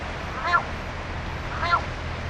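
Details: Crow that had repeatedly mimicked "ohayo" returns to its ordinary crow voice before flying off, perched on a utility pole by a grave. Two short, hoarse caws about a second apart over steady low background noise.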